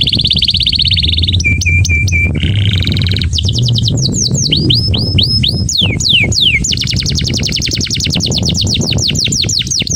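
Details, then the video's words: Agitated caged male canary singing to prepare a female for mating: long rapid trills changing pitch, a lower repeated chip series, then quick falling sweeps and a fast high repeated tour, over constant low background noise. "اقوى تغريد ذكر #كناري لتجهيز انثى الكناري للتزاوج CANTO DO CANÁRIO"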